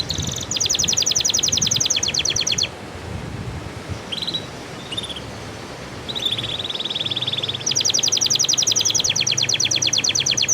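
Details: Caged canary song used as a prompt to get canaries singing again after stopping or after moulting: loud, fast, high buzzy trills in long bursts, a short quieter gap of softer notes in the middle, then the rapid trilling resumes.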